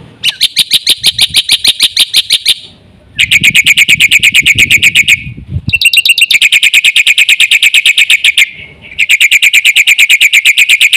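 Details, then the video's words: Black-winged myna in full 'gacor full isian' song: long bursts of rapid, loud, ringing high chatter, roughly three notes a second, broken by short pauses, with faint low rustling in the background. "suara jalak putih gacor full isian"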